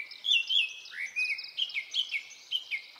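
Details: Japanese thrush in song, early summer forest in Hokkaido, Nikon Coolpix P950: loud fluted whistles, rising and falling slurs, repeated in short rhythmic phrases about every quarter second, clear over a quiet background.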